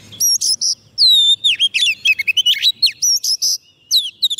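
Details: White-rumped shama in continuous song to attract wild birds: dense, fast sequence of high clear whistles, downward slurs and quick trilled notes with barely any pause.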